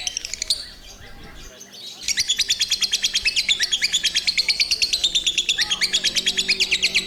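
A lovebird gives a long, rapid chatter of sharp, high chirps, about three per second, sustained for several seconds after a brief pause.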